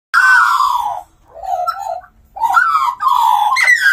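Australian magpie carolling: rich, throaty warbled phrases with gliding, slightly harsh notes, delivered in three loud bursts separated by short pauses.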